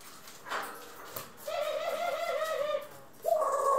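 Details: A pet dove (ringneck, Senegal or hybrid) gives a soft, low, wavering coo, a rolling note of over a second, then starts another; recorded 25 April 2021.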